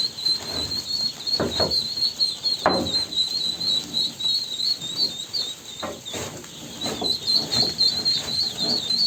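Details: Ducklings calling in a dense, unbroken stream of high-pitched quivering peeps, with brief brighter notes poking above the chorus, while irregular thuds and scuffing sounds come and go.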